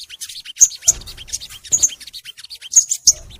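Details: Crimson sunbird in long, energetic song for a training recording: high thin notes with piercing emphatic peaks and short sweeping slurs, irregularly spaced, with faint rustling between phrases.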